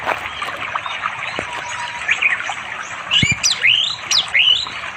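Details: Orange-headed thrush, wild, singing in the afternoon to call a female for mating, beside a flowing river deep in unspoiled village forest in East Java, recorded by Android phone; a few high whistled and slurred phrases over a steady hiss of running water.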